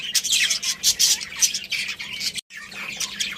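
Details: Budgerigars from a breeding pair and family chirping: lively high warbled chatter and squeaky notes, cut by a brief silence, then resuming.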